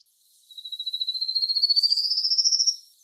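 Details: Prairie warbler song from grassy shrubland on reclaimed strip mines, where the bird sings from the top of a small bush or tree: a fast series of buzzy notes starting low and climbing steadily to high notes, about two seconds long.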